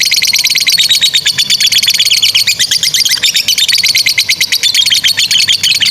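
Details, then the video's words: Continuous high 'ngekek' rattle from a lovebird, used as a teaching recording for young birds: rapid, buzzy, evenly pulsed chattering held steady in pitch across the whole stretch. "GACOR SUARA 16a love bird ngekek PANJANG INI Cocok untuk Masteran love bird paud dan Macet"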